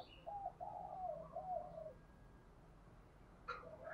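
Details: Spotted dove of the 'giọng thổ pha đồng' voice style uttering a short string of low coos, followed by quiet and a brief call from another bird at the end.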